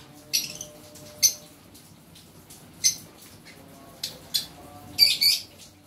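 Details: Green lovebird giving mating sounds: five shrill, squawky chirps spaced irregularly over six seconds, the last a quick double burst, over a faint steady low hum.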